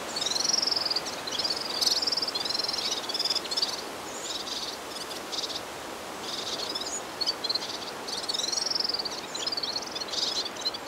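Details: Red-fronted serin in Turkey: long, fast, high twittering and jingling trills that rise and fall, delivered in phrases, against a broad background hiss.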